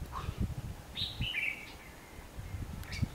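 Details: Red-whiskered bulbul decoy song during trapping, 19 November 2015: one rolling warbled phrase after a short low note, with knocks and low rumbling noise throughout.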